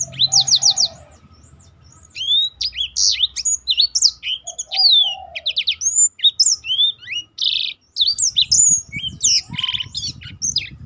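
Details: Black-throated canary singing a fast, varied stream of high whistled sweeps and buzzy trills, used as a tutor to prompt other birds to sing and learn more song variations; faint low hum underneath.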